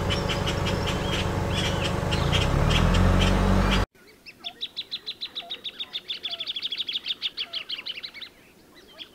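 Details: Plain thornbird song: after a noisy opening with low engine-like hum, a long rapid series of sharp high notes, about four per second, runs steadily for several seconds and then stops.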